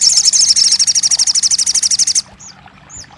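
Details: Crested jay used to coax a silent bird into song: a rapid, pulsing, high rattle of about twenty beats, then a couple of thin upslurred whistles.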